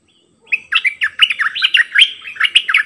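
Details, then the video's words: Decoy bulbul delivering one of its many songs: after a short silence, a steady stream of loud, lilting whistles and chatters that flows without a break for more than two seconds. "เปิดดอกเพลงเบิ้ล!!ร้องหลายเพลงSuara merbah lekir gacorbahanan"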